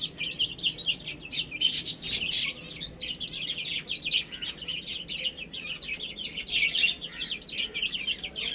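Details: Chicks eating and drinking, with many chirps overlapping in a busy flow of high, short peeps and some sharp pecking sounds early on.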